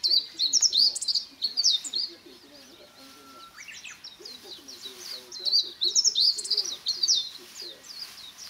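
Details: Blue rock thrush, identified as such by others, singing opposite a guest room at a seaside hilltop in Kamogawa, Chiba, Japan, on 18 July 2021: clear, warbling phrases of quick high notes in two bursts, with low human voices murmuring underneath.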